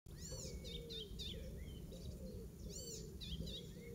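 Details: Icterine warbler singing in a garden in Pieterburen on 17 May 2022, a mimic whose song copies the Eurasian oystercatcher; high arched, ringing notes twice plus sliding whistles and chattery phrases over low steady background rumble.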